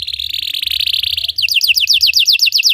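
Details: Song of a Belgian canary meant to teach other canaries: a level rolling trill near the high middle range switches abruptly to a series of quick downward-sweeping notes repeated about five times per second.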